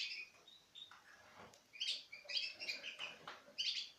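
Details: Citril finch pairs from 2016 eating out of a hand. Several soft chirps give way to a louder run of bright, twittering notes near the end.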